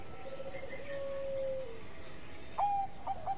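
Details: Zebra dove of the Bangkok perkutut type cooing to stir rivals into calling: a soft low drawn-out note, then a sharper burst with a level whistle and two short notes, faint against background hiss.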